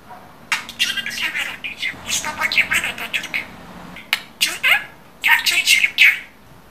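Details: Talking pet budgerigar produces quick, raspy runs of imitated words and chirping squawks in clustered bursts, with a longer pause midway before another lively string of scratchy phrases.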